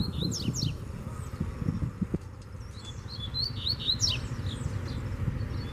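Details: Free wild Double-collared Seedeater singing as it challenges a caged bird: quick, high, sharply sliding whistled notes in short bursts, over a steady low rumble of background noise.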